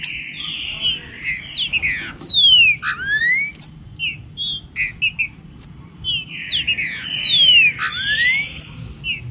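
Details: Green-winged saltator gives loud, rich whistled phrases with sharp falling and rising slurs, the full phrase twice about five seconds apart, over a soft rain-like hiss, with music playing.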